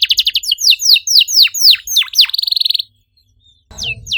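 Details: Canary song in cuit-cuit style, used as a lure for quiet canaries. Brisk high chirps run into swooping, deeply falling whistles and a short buzzy trill. After a silent gap, two chirps sound over low background noise.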